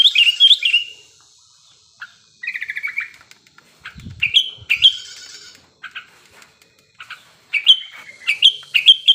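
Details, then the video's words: Sooty-headed bulbul in breeding condition, played to get birds singing quickly: repeated bubbly whistled phrases and short chattering runs with brief pauses, plus a few low thumps in the middle. "Pancingan Burung Kutilang Gacor Birahi Agar Cepat Bunyi"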